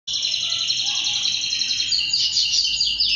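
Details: Male canary singing, from a recording meant to stir males to sing and get excited: a continuous high, buzzy rolling trill that holds steady for three seconds, with brighter sliding notes near the end.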